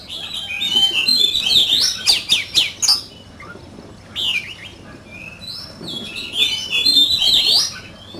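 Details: Competition song of an oriental magpie-robin: short bursts of bright whistles and chattering trills separated by pauses of about a second, with a few sharp clicking notes in between.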